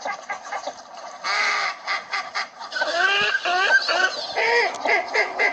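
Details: Northern shoveler ducks in a calling flock: overlapping nasal, harmonic honking notes, some rising and bending, given in rapid uneven bursts, with several birds calling at once.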